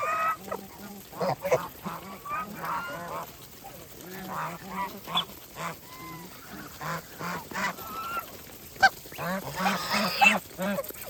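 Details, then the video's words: Feeding farm geese give repeated short nasal honks every second or so, with clicks and sharper squawks mixed in and a loud burst near the end. "Geese life with natural sound"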